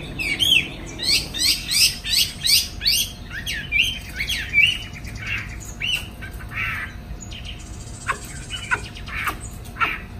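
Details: Chinese hwamei kept in a cage in Hanoi, Vietnam, singing in the afternoon with wings spread: a fast burst of ringing, sweeping whistles for about three seconds, then slower scattered notes and a brief buzzy rattle.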